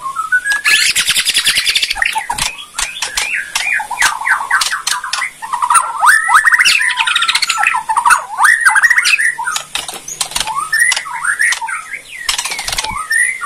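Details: White-rumped shama of the Bornean type in kretekan song that stirs rival shamas to reply: dense buzzy rattles and rapid clicking chatter mixed with looping, up-and-down whistled notes, sustained energetically throughout.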